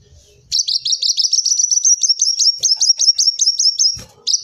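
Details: Continuous rapid trill of high, clipped notes from a kolibri wulung sunbird, about two and a half notes per second, steady in pitch for three and a half seconds, ending with a click. Lure sound.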